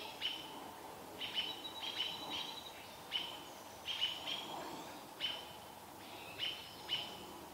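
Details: Mobbing robins harass a barred owl parent near her owlet in Vancouver; crisp, high piercing notes about once a second, some doubled, over faint low background noise.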